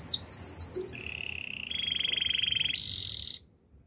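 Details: Canary song in the wild, beginning with quick falling notes, then a long steady mid-pitched rolling trill, a slightly higher buzzy trill, and a short high bright tour before stopping abruptly.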